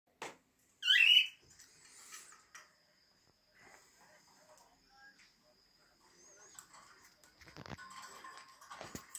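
A cockatiel gives one sharp, screechy chirp, followed by faint chatter and rustling.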